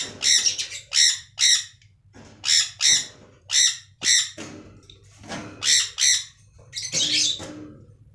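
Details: Budgerigars in an aviary, playing and eating together: about a dozen rasping squawks in pairs and small clusters with short gaps, ending in a rougher overlapping burst, over a faint low hum.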